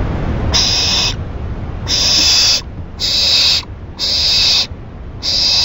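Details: Owl recorded at 4:04 AM on June 7, 2012, giving harsh, breathy hissing screeches about half a second to a second long, repeated roughly once a second with short silent gaps, over a low background rumble.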